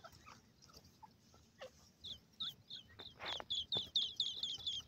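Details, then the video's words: A female grey francolin calls in a series of short, sharp, high notes. They are faint at first, then grow louder and quicker over the last two seconds, with a broad noisy burst partway through. "grey francolin female ka voice"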